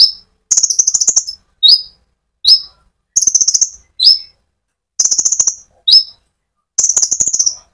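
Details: Rolling song of a konin sunbird used to rouse other sunbirds: repeated pattern of a rapid rattling trill followed by one or two high, sliding chirps, looping several times.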